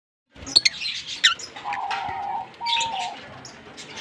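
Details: Green Fischer's lovebird pair, kept birds, chirping and singing: scratchy high chirps and sharp clicks, with a steady mid-pitched hum running through the middle.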